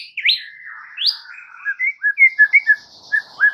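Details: White-rumped shama song as a training recording for a stressed bird: rising whistled swoops, then a run of short liquid notes and soft chirps over a faint higher buzz.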